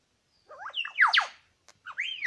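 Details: Male Superb Lyrebird at Lookout Point in New England National Park, one of two birds present, sings rich whistled phrases with sweeping descending slurs and warbled loops, a brief pause, then a rising, bending whistle.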